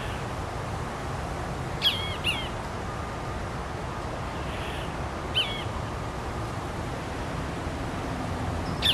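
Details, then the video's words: Cassin's Kingbird singing, one of three, beside a dry grassy field and commercial mall in Irvine, California, 24 August 2015. It gives short, burry, two-part notes a few seconds apart over a low rumble. Starlings and a California towhee are in the background. "Cassin's Kingbird Singing"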